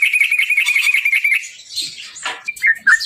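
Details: Yellow-vented bulbul song used to prompt a response: a fast, steady buzzy trill, then a noisy rush and a few liquid, slurred whistled notes.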